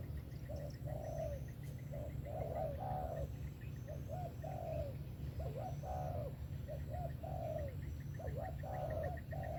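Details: Steady cooing sequence of a spotted dove in sấm thổ style, 'về tàng kèm 123', with clipped hoots and longer wavering notes, faint high chirps from another bird and a low continuous hum.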